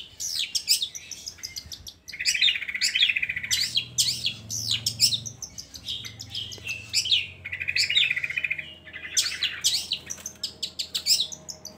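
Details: Long-tailed shrike song meant to get lazy shrikes singing: a busy medley of sharp downswept notes, buzzy trilled stretches and quick chattering, almost continuous, over a low background drone.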